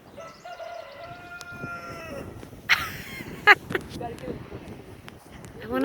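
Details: A farm rooster, the flock's boss, gives one long, drawn-out crow lasting about two seconds, followed by short clucks, a few sharp knocks and a person talking nearby.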